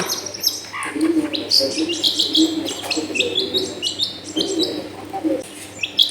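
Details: Long-tailed shrike used to spur a lazy shrike into song, recorded at home amid dense housing; a continuous run of quick high chirps and twittering notes over a steady low background hum.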